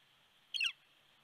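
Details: Red-shafted Northern Flicker visiting a nest at Big Bear, California, on 13 December 2019, up close: one short, sharp, slightly descending call with a harsh, ringing edge, over a steady high background hum.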